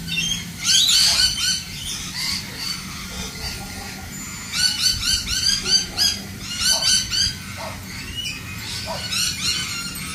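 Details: Lorikeets chatter in noisy rounds of sharp, buzzy screeches, clusters of rapid notes breaking out every second or two and fading between, many birds overlapping against a faint low hum.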